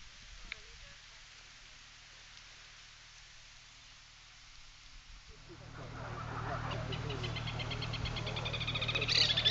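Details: White Woodpecker giving a fast run of high, evenly spaced notes over rising rushing noise after a quiet start, while excavating a nest hole in a palm tree with its mate nearby, Porto Jofre, Pantanal, Brazil.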